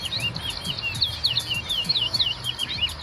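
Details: Large-billed seed-finch, called towa towa, competing in a singing contest on the West Side, Guyana. Quick succession of looping, sharply slurred whistled notes, loud and clear over soft low noise.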